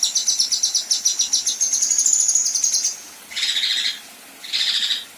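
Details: Coarse 'tembakan kasar' from a female kinoi, recorded as tutor song for contest birds: a fast, high, ticking trill for about three seconds, then two separate harsh, buzzy bursts with short pauses between.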